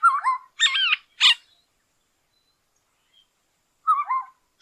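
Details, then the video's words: Black-hooded Oriole giving liquid, fluty whistles in quick pairs and one harsh rasping note, then repeating a whistled phrase after a pause. "ORIOLE SONG"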